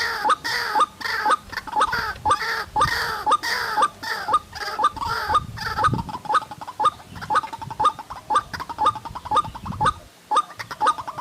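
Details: White-breasted waterhen calling in untouched forest during bird trapping: harsh, buzzy rasping notes repeated steadily about twice a second, then shifting to shorter, sharper clipped notes in the same rhythm.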